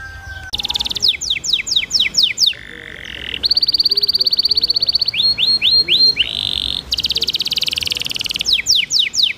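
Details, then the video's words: Canary in lively training song with melodious phrasing, set with trickling water to coax other canaries into singing: fast descending whistled sweeps, a steady buzzy trill, high rapid rattles, then more repeated downward slurs. "MASTERAN Kenari GACOR CENGKOK MERDU Di Sertai GEMERICIK AIR Cocok Buat TERAPI PANCINGAN RAJIN BUNYI"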